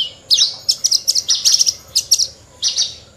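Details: Rare Horsfield's bush lark singing busily, a short phrase of high twittering notes and quick trills in uneven clusters with small gaps between them.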